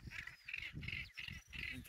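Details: Northern gannets (Morus bassanus) calling at the cliff colony at RSPB Bempton Cliffs, England: harsh, grating bursts repeated about every half second, with low wind rumble underneath.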